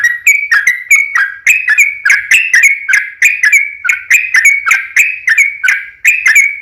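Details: Sooty-headed bulbul in lively 'gacor' form with a long rapid 'ropel' fighting song, used as a lure to make other bulbuls answer; loud bubbly slurred notes pour out about three per second, unbroken throughout, with no other sounds.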